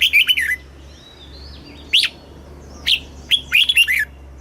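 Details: Thai red-whiskered bulbul, a caged bird, sings a southern-style master song used to stimulate other birds and tutor young ones: quick, sweet whistled phrases with downward slurs, separated by short pauses, over a faint low hum.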